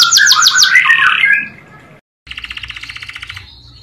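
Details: Canary song used as a training recording for canaries: a loud, dense warbling phrase that fades, a short silence, then an even, rapid trill of pulsed notes.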